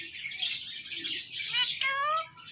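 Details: Female pet parrot at play with her best friend, giving bright, continuous chirpy chatter that ends in a clear, voiced, speech-like tone, slightly curving upward.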